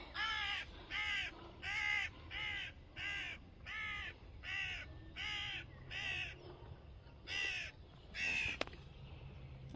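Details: Carrion crow call played from a push-button sound display at the Domaine des grottes de Han, presented alongside rook and raven: about a dozen harsh, hoarse caws in a steady series, roughly one every three-quarters of a second, with a sharp click near the end.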